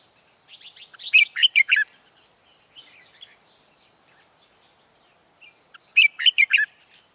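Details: Red-whiskered bulbul decoy bird used for trapping, singing bursts of rapid loud chirps and slurred whistles, two phrases about five seconds apart with soft notes between.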